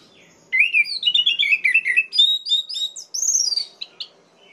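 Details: Orange-headed thrush song meant to trigger aggression in other orange-headed thrushes: a continuous, varied run of tumbling whistled and chattering notes, climbing higher toward the end before trailing off.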